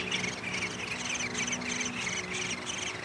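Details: Downy woodpecker nest at feeding time, May 20, 2021: bright, evenly pulsed chirps come about three times a second, with a faint low hum underneath.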